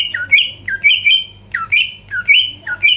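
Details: Greater green leafbird, song meant to make rivals start singing and get agitated: repeated two-part notes, each a low dipping slur jumping to a higher rising whistle, roughly two per second.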